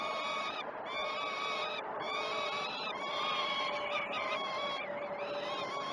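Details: Peregrine falcon chicks begging during the first feeds of the day at the Great Spirit Bluff nest, 06:20 on 12 June 2018, recorded by a live nest camera; harsh, harmonic wailing screams run almost without a break, several overlapping.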